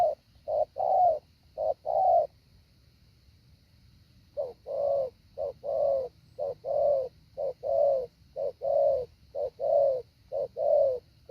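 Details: Spotted dove used as a training decoy, giving low hollow coos in measured phrases, each note a short soft hoot, repeated roughly once a second after a brief pause.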